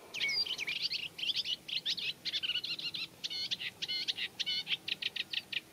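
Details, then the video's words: Eurasian reed warbler singing in a reed bed, a song that includes mimicry of other birds: a slow, scratchy chatter of short grating notes, some repeated in pairs or triplets, delivered steadily with tiny gaps. "Eurasian Reed Warbler Song | Acrocephalus scirpaceus Singing"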